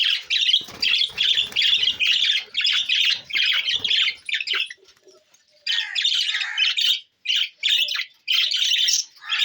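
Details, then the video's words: Several budgies recorded June 20, 2024, chattering in a dense stream of raspy, high warbled notes, with a short lull midway before the busy squawky chatter resumes. "Budgies Parrot so Bueatiful sounds"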